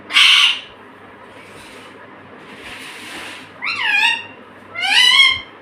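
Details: Talking pet parrot repeating "mummy"-style words: a short hoarse burst, a soft breathy stretch, then two strong harmonic syllables that sweep upward, with low room hum beneath.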